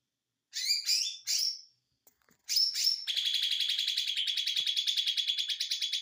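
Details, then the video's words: Ijo mini white-eye singing konslet: three loud, slurred, squeaky notes, a few faint ticks, then an unbroken fast high trill of pulsing notes through the end. "ijo Mini konslet"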